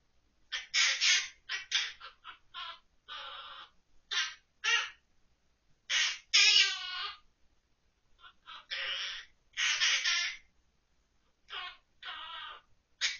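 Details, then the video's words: Pet monk parakeet Kkukku, recorded October 2023, sings children's songs (Ppoppoppo, Santokki) from memory in raspy, squawky, speech-like bursts, a dozen or so broken phrases with short pauses between. "퀘이커앵무 꾸꾸 l 생각나는 대로 부르는 꾸꾸표 동요"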